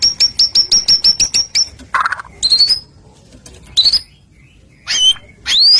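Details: White-rumped shama song meant to provoke rival shamas to answer: a fast repeated series of about ten high sharp notes, a brief noisy burst, then scattered rising whistles separated by pauses.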